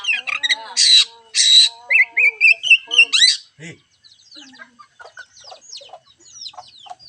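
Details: Oriental magpie-robin song used to coax a reluctant bird into singing: loud harsh rasping bursts, then a run of quick rising whistles and chirps, fading into softer, scattered twittering notes.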